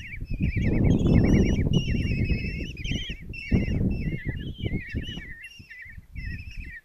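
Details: Nest-box feeding of five common kestrel chicks by their mother at breakfast, Tiszalök, Hungary, 26 June 2024; a dense chorus of wavering, trilling begging calls, several chicks at once, with bursts of low rustling and thuds.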